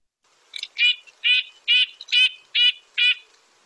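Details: A red-breasted nuthatch in the Lake Tahoe region gives six nasal, tinny notes like a toy horn, evenly repeated a little over twice a second; nothing else is heard.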